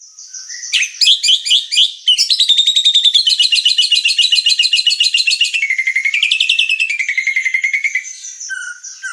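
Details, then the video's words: White-rumped shama (murai batu) singing an energetic song used as an emotional trigger and master track: opening whistles, then a long fast trill of rapidly repeated notes dropping to lower pitch toward the end. "Pancingan emosi dan masteran murai batu gacor | shama bird singing"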